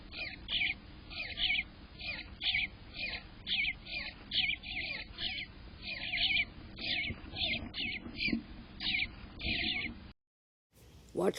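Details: Eastern Bluebird nestlings heard from inside a camera nestbox on fledge morning, 12 July 2025, making a racket: a rapid, continuous run of harsh, raspy high-pitched calls, about two per second, over a faint low hum.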